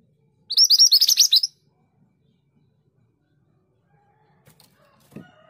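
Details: A scarlet minivet gives one fast phrase of about ten high, slurred whistles lasting a second, followed by several seconds of quiet with a few faint soft knocks.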